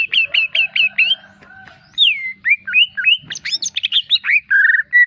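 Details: Greater green leafbird in vigorous masteran song: five quick up-slurred whistles, varied swooping notes, a jumbled burst of high chirps and a closing sustained whistle, loud and clear over a quiet background.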